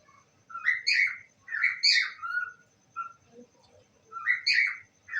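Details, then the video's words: Pet parrot saying I love you: a few hoarse, squawky phrases with sliding pitch, separated by gaps and a quieter low mumble, then one more phrase near the end. "my parrot saying i love you"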